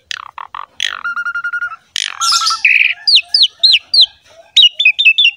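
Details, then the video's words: Asian pied starling song used as a master recording for reluctant caged birds: clicks, a long flat whistle, harsh chatter, then repeated sharp rising whistles in quick succession. "CARA MENGATASI BURUNG JALAK MALAS BUNYI ~ MASTERAN BURUNG JALAK SUREN"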